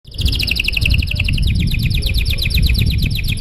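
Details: Canary singing a long, showy song meant to prompt other canaries to sing: a fast run of bright, evenly repeated high notes, slowly falling in pitch, over a steady low rumble.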